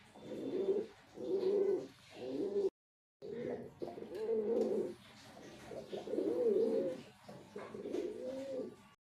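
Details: A white male pigeon coos repeatedly in deep, gurgling bursts about a second long, interrupted once by a brief gap of silence.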